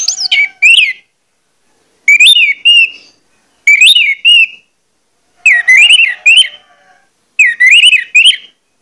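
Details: Loud, persistent orange-headed thrush song used as a lure to stir other orange-headed thrushes to sing: five short bursts of bright, warbling whistles with high, sharp flourishes, spaced roughly every one and a half seconds in a quiet setting.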